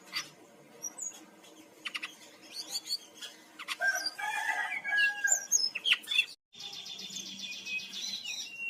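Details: Brown-chested jungle flycatcher from Bali used as a lure to prompt other birds to sing: varied song of clicks, sharp upslurred whistles and buzzy notes, with a brief pause midway and a dense buzzy stretch at the end.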